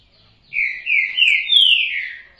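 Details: Green-winged saltator singing a loud whistled phrase of four slurred notes, the last rising then falling in a long descending slide, lasting about two seconds; otherwise quiet.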